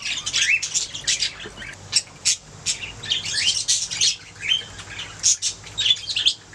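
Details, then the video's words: Budgies singing and chirping: repeated bursts of scratchy high warbles, squeaks and short upward-sweeping whistles, separated by brief pauses. "Budgies singing making sounds chirping"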